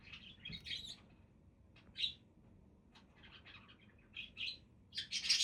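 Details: Budgies chirp in a brief flurry, go quiet with a few isolated squeaks, then resume with soft warbling that builds to a loud harsh squawk at the end.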